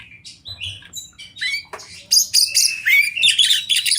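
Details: Oriental magpie-robin, champion wild singer in a river and forest setting: soft scattered chips open the phrase, then it builds into loud, dense scratchy chatter woven with downslurred whistles.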